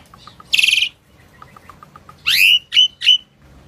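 An Asian pied starling gives a harsh, rapid chatter, then three loud, sweeping whistled chirps rising and falling, with faint soft notes between.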